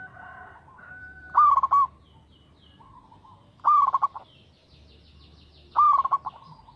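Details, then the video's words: Three stuttering coo phrases from a local zebra dove, roughly two seconds apart. Each has a rising lead note followed by rapid clipped repeats. A softer sustained tone sounds before the first phrase, over faint background rumble. "TERATUR PERKUTUT LOKAL GACOR SUARA TERATUR PANCINGAN TERBAIK"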